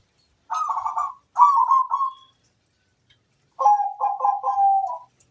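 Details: Local zebra dove cooing: two close throbbing phrases, a pause of over a second, then a longer phrase of four pulsing notes ending in a drawn-out coo; clean, still background.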